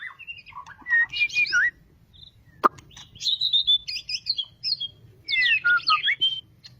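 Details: After two months of moulting, a caged white-rumped shama sings three bursts of mixed warbling whistles and chatter separated by brief silences, with one sharp click between them.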